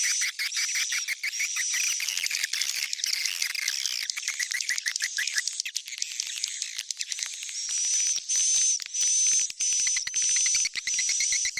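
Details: Lure recording of edible-nest swiftlets, 'Sp Tarik Onar' style, meant to draw birds in: busy overlapping chirps and twitters that later settle into evenly spaced chirp bursts with a steady high whistled tone.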